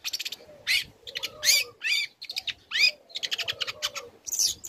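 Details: A young long-tailed shrike sings a lure to provoke other shrikes: harsh scratchy bursts mixed with rising and falling whistled slurs and quick stuttering chatter.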